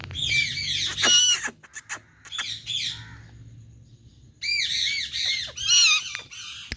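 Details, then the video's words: Indian parrot calling and talking: bursts of loud, harsh, ringing squawks with layered overtones, one group near the start and another after a short pause, over a low steady hum. "Indian Parrot🌶 Talking To Patlu Parrot"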